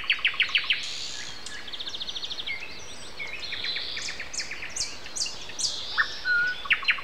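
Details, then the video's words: Common nightingale singing on an April 29 Sunday morning at 7:55 amid other birds; rapid series of loud repeated chucking notes, then buzzy trills and sharp whistled phrases, with further birds calling overhead. "Morning concert. Nightingale and Со."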